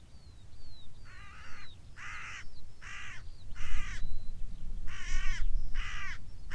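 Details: On open moorland a crow calls from a beech treetop, giving a run of six loud, rasping caws roughly one per second, over steady low wind noise and thin high songbird notes.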